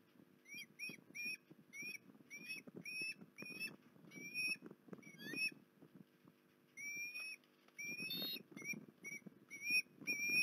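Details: Osprey calling at Port Lincoln on 19 January 2021: a long series of short, bright rising whistles, some in quick doublets, broken by a brief lull, over low rustling and knocking sounds.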